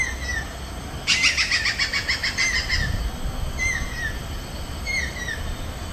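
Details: Resident Stork-billed Kingfisher at Pasir Ris Park, Singapore: a short descending whistled note, then a harsh, rapidly pulsed cackle for about two seconds, followed by more drooping whistles every second or so over steady low background rumble.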